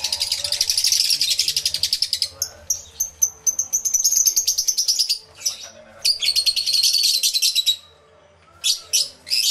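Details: Crowd of lovebirds in an aviary, recorded by camera with two external microphones; steady rapid shrill chattering about three notes per second, thin whistled squeaks, a short silence, then more shrill bursts.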